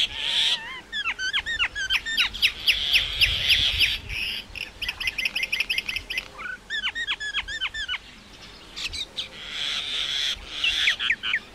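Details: Long, varied Indian myna song: rapid trains of repeated looping whistles, mechanical clicking runs and several harsh, wheezing rasps between phrases.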